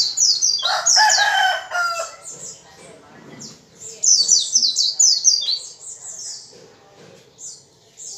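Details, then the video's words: White-eye pouring out high, tumbling downslurred chirps mixed with lower buzzy notes, then a quieter pause before a second rapid burst of thin, falling notes. "PLECI GACOR"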